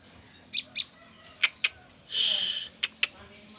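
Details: Female olive-backed tailorbird, caught three days before, gives paired high sharp chips at intervals, interrupted midway by a brief loud hissing burst.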